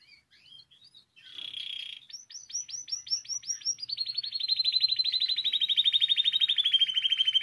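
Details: Timbrado song from a Spanish canary, used for song learning: soft notes, then a dense buzzy burst and a series of falling whistled strokes. These speed up into a long rapid rolling trill that slowly drops in pitch.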